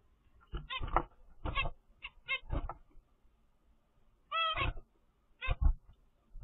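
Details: Ten-day-old captive zebra finch chick from its parents' first clutch gives short, raspy, wheezy calls in uneven bursts.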